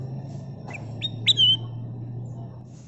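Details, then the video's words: Brief phrase from a golden-coloured kutilang emas bulbul used as lure song: two quick chirps, then a clear ringing whistle that slides downward, against a steady low hum. "Kicau Burung Kutilang Emas Gacor full isian suara pikat"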